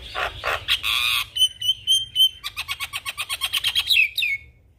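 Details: Lively Javan myna song rich in fill-in phrases. Loud harsh squawks lead into a few thin whistles, then a fast train of buzzy notes about four per second, ending on a falling whistle.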